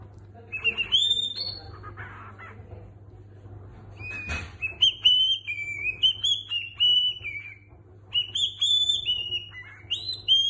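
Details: Cockatiel kept as a pet whistling La Cucaracha and a Niko Pandetta song: chattery notes, then a steady melodic stream of pure whistles shifting in pitch, one brief thump midway, steady low hum underneath.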